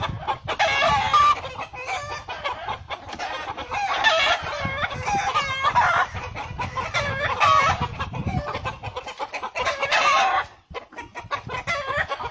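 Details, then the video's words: Hen defending her young against a hawk or falcon gives bursts of rapid, rough clucks in waves, with occasional thin chick peeps, then a brief lull near the end. "chicken protects baby's from falcon hawk, Gallina protégé a sus bebes de gavilan halcon"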